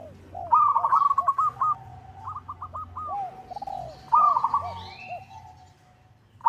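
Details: A local zebra dove calls out to a rival in a call used as a lure. Two bursts of bubbly trilled cooing are linked by soft, arched low notes, while faint thin chirps come from other birds.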